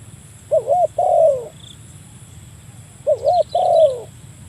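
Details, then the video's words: Spotted dove calling a rival, used to lure birds: two low phrases two and a half seconds apart, each a quick wavering double note then a long falling coo, with faint higher chirps near the end. "burung tekukur memanggil lawan, mikat burung tekukur"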